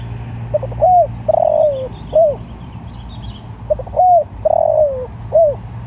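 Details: Spotted dove cooing to call other doves, giving the same four-part phrase twice about three seconds apart: a brief note, a bent coo, a drawn-out wavering falling coo and a closing arched coo, with faint low background hum.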